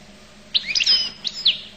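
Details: Goldfinch from Collo giving a brief bright phrase: a sliding, whistled twitter followed by two short high chirps, over a faint low hum.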